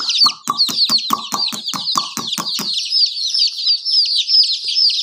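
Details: A chorus of chicken chicks gives steady, high, downslurred peeps. Rapid clucking pulses repeat about five times per second for the first half, then the chirping carries on alone.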